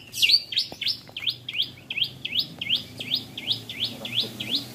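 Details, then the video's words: Tame Asian pied starling singing in the afternoon before the Ramadan fast-breaking: a rapid, steady series of upward-sweeping, slurred whistled notes, about eleven in under five seconds, with faint low hum beneath. "Ngabuburit Bersama Jalak Suren Jinak Gacor"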